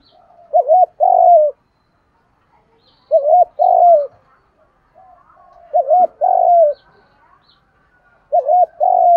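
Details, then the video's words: Spotted doves cooing to provoke wild-caught birds into cooing and fighting: four regular phrases of two brief notes and a long descending hooted note, repeated about every two and a half seconds. "cu gáy kích bổi nhanh nổi gù, tiếng thúc đấu rút bổi"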